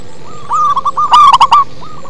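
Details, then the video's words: A local zebra dove sings bass-heavy: a soft run of short coos swells into a loud, rapid stuttering burst, then fades back to quieter notes. "Perkutut lokal manggung ngebas"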